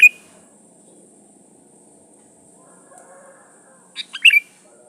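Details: Lure song of a sooty-headed bulbul, intended to attract rival birds. After a long quiet gap with a steady faint high hiss, a single fluty phrase of a few chirpy notes rises to a ringing whistled ending.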